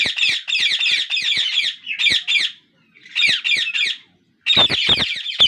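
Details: Parakeet chicks beg for food while their father feeds each in turn, giving harsh, buzzy bursts: a rapid run of rasping calls that stops and starts in short clusters with brief pauses between.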